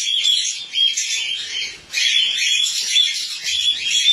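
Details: Pair of cockatiels calling while mating for the first time: a continuous, raspy, high-pitched squawking stream with a short dip in loudness midway.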